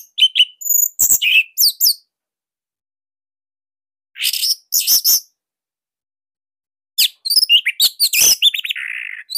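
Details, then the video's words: Orange-headed thrush, recorded as master song for tutoring other songbirds; clusters of rapid sharp chirps and whistled slurs, with a buzzy trailing note, separated by long silent gaps. "GACOR Dorr Kicauan Joss ANIS MERAH Pancingan Masternya Para JUARA."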